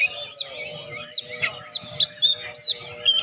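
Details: Oriental magpie-robin in full song, used to stimulate lazy birds to sing: loud, clear downslurred whistles repeated roughly every half second, interspersed with sharper high notes.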